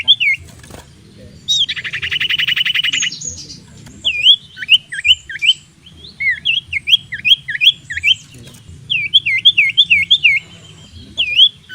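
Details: Persistent decoy song of a common iora, known as sirtu or cipoh, meant to provoke opponents into fighting: a dense buzzing trill, then many bouncy looping whistles delivered in quick bursts of three to five, over a steady low hum.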